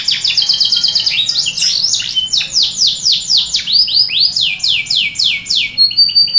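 A Yorkshire canary sings a fast, continuous song of high chirps, then a run of quick downward-sweeping whistled notes repeated several times a second.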